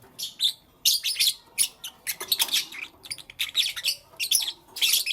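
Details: Morning chirping of lovebirds: a busy stream of sharp, scratchy squeaks and chatters, several short calls every second with brief gaps, high-pitched and noisy.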